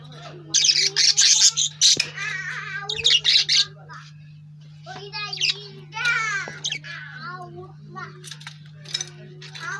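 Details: Lovebird chirping: loud bursts of harsh, scratchy rapid chirps in clusters, mixed with shorter squeaky warbled notes and brief pauses, over a constant low hum.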